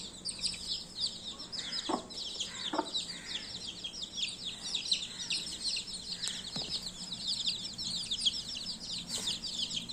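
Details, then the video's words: Many baby chicks keep up steady high-pitched cheeping, rapid overlapping chirps filling the whole stretch, with a few short lower taps and clucks mixed in. "Baby 🐤Chicks chirping sound"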